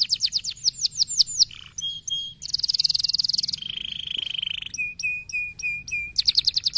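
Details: Canary in fast, dense 'gacor speed rapat' song, played to provoke fighter canaries: varied phrases of quick rising whistles, a buzzy trill, a long steady whistle and clipped repeated notes, over a faint low hum.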